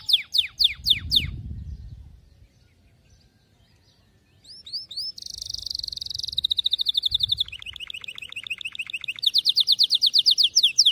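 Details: Canary tutor song for training young canaries: a series of sharp downslurred notes, a pause with faint low rumble, then buzzy phrases, rapid clicking trills and a long high rattle.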